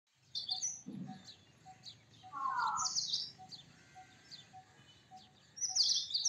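Indian robin giving short, high chirps and brief sweet warbles in quick succession, with a faint steady pulsing tone and light rural background noise.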